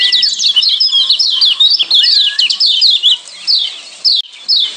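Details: {'caption': 'Kept Lombok yellow white-eyes from Lombok in a training combination: energetic high twittering in quick bursts, a brief curving whistle near the middle, and the chirps growing sparser toward the end.'}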